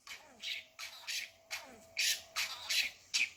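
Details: Budgerigar mimicking speech with new words: about eight scratchy, harsh high bursts, each roughly a third of a second long, separated by short gaps, over a faint hum and low room noise.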